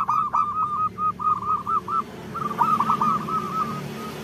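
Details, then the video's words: Local female zebra dove calling to males, used as a lure to make males sing: two slurred runs of quick, wavering coos with a short gap between them, over a steady background hiss. "Suara Perkutut Betina Memanggil Jantan"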